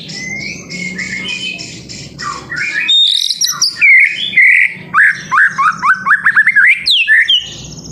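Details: Spotted-plumaged young white-rumped shama singing as a lure to set other birds singing: softer repeated notes, then loud varied whistled phrases with rapid falling slurs and chattering bursts, quickening toward the end.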